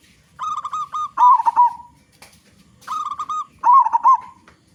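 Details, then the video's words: Big-voiced local zebra dove used to draw other doves into song delivers two phrases, each a run of short staccato coos ending in loud rolling, bubbling notes, separated by about a second of quiet. "Perkutut Lokal Gacor Suara Besar Suara Paling di Sukai Burung Perkutut apa saja"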